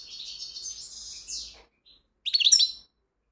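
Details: European goldfinch song: a sustained, fast, high twittering phrase that ends in a slurred downward note, then after a pause a loud burst of sharp, liquid chirps.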